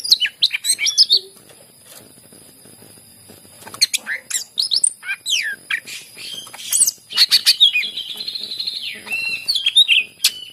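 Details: Greater green leafbird song used as a prompt for other leafbirds, with sharp downslurred notes and chirps, a pause, then a long wavering whistle and renewed rapid high notes.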